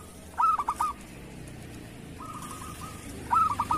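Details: Zebra dove, local strain, singing to teach other doves. Two loud phrases of four rapid bouncing coo notes frame a softer, even run of notes from a more distant dove.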